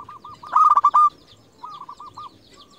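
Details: Lure-type local zebra dove used to provoke rivals: a strong, harsh, pulsing coo burst near the start, followed by a quieter rolling series of soft coos.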